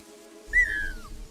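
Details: A lost rhea chick, separated from its own family, gives a distress call heard by another family's father: a single clear whistle, rising briefly and then sliding down over half a second, over a low background rumble.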